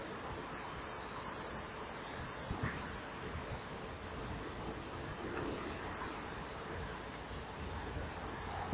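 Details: Female common kingfisher at the nest wall at 19:09 on 24 July 2015, fending off a begging juvenile before mating with the male; high, thin, shrill whistles, a quick run of about eight, then single notes spaced apart.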